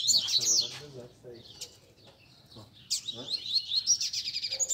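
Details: Several caged Double-collared Seedeaters (coleiros) of competition type sing together among bird keepers on a Sunday, a warm-up session for a competition bird: bursts of high, fast, twittering song open and close the clip, with men talking in between.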